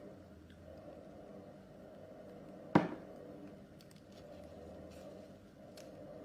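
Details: Quiet indoor room hum with a single sharp click near the middle and a few faint taps.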